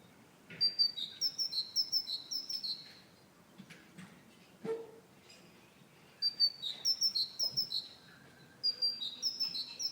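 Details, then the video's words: A great tit (Parus major), a sedentary bird of woodlands across Europe and Asia, sings bright, repeated two-note phrases, a high note dropping to a lower one about five times per burst, in three bursts with pauses between. "Canto Del Carbonero Común"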